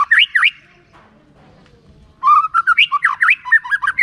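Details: White-rumped shama song used as a lure to prompt reluctant shamas to sing: loud rich warbled notes sweeping up and down, a pause, then a fast varied burst of whistles.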